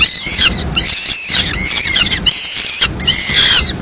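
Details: Peregrine falcon nest in Madrid, 15 May 2016: as the male brings in a still-living swift for the female to finish, loud rasping drawn-out wails sound in four long bursts separated by brief silences.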